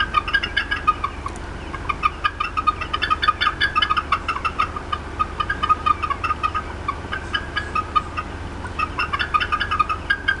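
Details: Persistent clucking from an upset female bald eagle at the Decorah North nest, afternoon of 18 April 2016; long runs of rapid, sharp high notes rising and falling in intensity, with constant low background hum.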